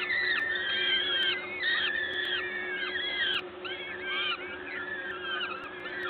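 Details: Gdańsk, Poland, 14 May 2022 at 11:07, peregrine falcons during a feeding at the nest: rapid, jumbled wheezy whines and squeals from several voices crowding together, soft steady hum underneath.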